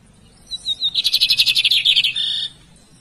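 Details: Lined Seedeater song that opens with soft high whistles, breaks into a rapid, buzzy rattle of about a dozen pulses, and ends on a steady, drawn-out buzzy note. A quiet low hum sits underneath.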